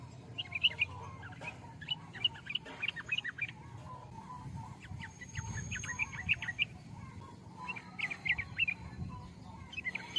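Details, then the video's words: Sooty-headed bulbul singing short chirpy, warbled phrases in bursts, bright notes repeated with pauses, over a steady low rumble of background noise. "burung trucukan"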